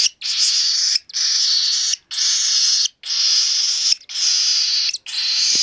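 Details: Baby cockatiel, hand-fed and three weeks old, rasping steadily: long hoarse hissing calls of near-equal length, repeated about once a second in an even rhythm.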